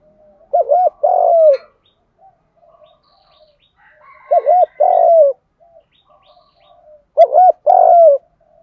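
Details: Spotted dove in the 'Đồng' cooing style, played to urge young trained males to start cooing. Three phrases come roughly every three seconds, each two quick bent notes then a drawn-out descending coo, with faint soft chirps between.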